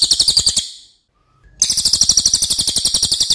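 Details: Racket-tailed Treepie, a loud songbird that tries to outsing other birds, recorded as tutor song: a quick burst of high notes, a pause, then a steady fast rattle.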